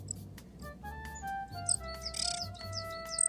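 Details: Coal tit at a nest box in May, during incubation through hatching, when the male brings food to the female: thin, very high chirps in quick short bursts over soft sustained background music.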